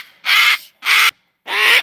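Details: Pet cockatoo screaming outdoors after reacting to neighbourhood dogs barking: three harsh, loud, broadband squawks, each about a third of a second, spaced roughly half a second apart.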